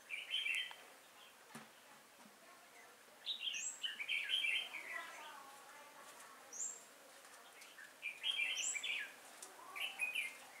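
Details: Red-whiskered bulbul decoy in a trapping setup, singing to attract wild birds, 5 October 2018. Lively, fluty, warbling phrases are repeated in bursts over about ten seconds. Some higher thin notes rise above them, and a faint murmur runs in the background.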